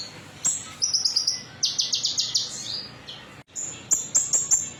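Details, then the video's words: Konin singing its metallic song, a lure meant to set other birds singing: a high whistle, then a rapid series of buzzy trilled notes, a short pause, and a row of sharp repeated whistles. "PANCINGAN KONIN METALIK"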